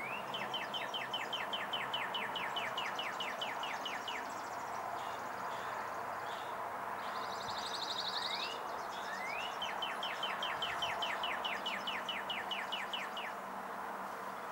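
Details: Singing male Northern Cardinal, Onslow County, North Carolina, April 4, 2015: long fast series of some twenty downslurred whistled notes, two rising slurs, then another long series. A high dry trill of calling Blue-gray Gnatcatcher or Chipping Sparrow interrupts midway.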